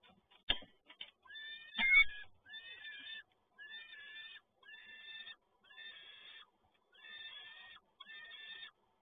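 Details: Male peregrine falcon at the PGE Toruń site, Poland, arriving with another food delivery, 7 May 2022: harsh, grating, wailing calls, each under a second long and repeated about once a second, after a few knocks and scrapes.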